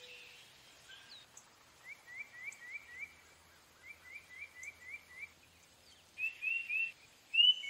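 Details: Tufted titmouse singing two runs of about six quick, clear slurred notes on one pitch, a 'peter peter' rhythm, followed by brighter whistles; faint other birds and a low hum behind.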